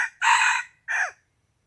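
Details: Chicken crowing on a morning in February 2020, a loud, harsh two-part crow: a long raspy first phrase, a short gap, then a briefer phrase that drops at its end. The surroundings are otherwise quiet.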